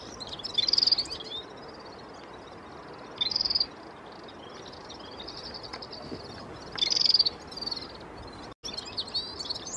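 Red-fronted serin giving high, tinkling twittered bursts about every three seconds, over a steady thin background of similar high twittering.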